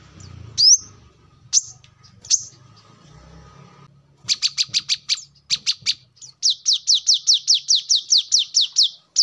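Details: Brown-throated sunbird, kept as a lure and tutor bird for training songbirds: a few isolated high upward-flicked notes over faint background rumble, then rapid bursts of sharp chips, then a long even run of about fifteen repeated high notes.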